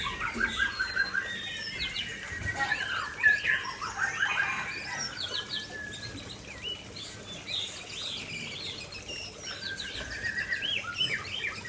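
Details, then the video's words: White-rumped shama (Murai Aceh) singing vigorously near a waterfall: rapid runs of short whistled and slurred notes, rising and falling sweeps, with a steady broad rush of falling water beneath. "Murai Aceh Gacor dekat Air Terjun"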